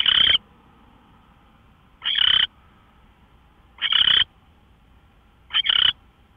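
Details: Early-morning owl, 24 March 2013 at 5:27 AM: four harsh, hissing bursts roughly every one and a half to two seconds, each about half a second long, with soft background hum.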